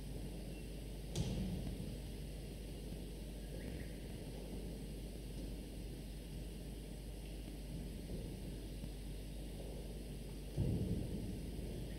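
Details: Low steady rumble and background noise with a couple of brief knocks, and no animal voice.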